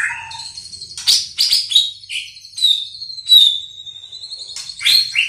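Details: White-rumped shama working on its song, giving loud varied whistles: sharp high notes, short slurred phrases and a long clear whistle that slides gently down, with brief pauses between the bursts.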